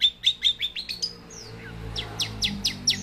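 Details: Young long-tailed shrike with a varied song: a string of sharp high chips, a brief descending whistle, then quieter downslurred notes over faint background hum.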